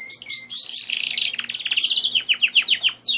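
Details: Pet canary song: rapid, high, sweet chirps running into a fast trill of repeated downward-sweeping notes, about four per second near the end, over a faint low electrical hum.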